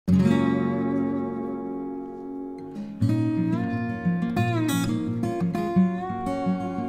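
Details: Acoustic guitar playing, first sustained plucked notes, then a strummed and picked melody with slides, and no animal calls heard.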